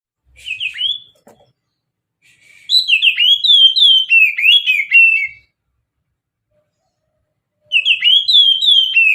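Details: Oriental magpie-robin singing a mountain-style song used as a lure: a short whistled opening, a pause, then a lively run of bright, slurred whistles and trills, with another phrase starting near the end. No other sounds.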